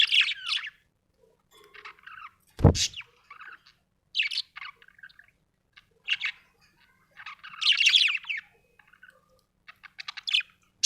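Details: Happy pet budgerigar chirping in short bursts of bright, scratchy warbles and clicks, with pauses between phrases and one sharp thump partway through.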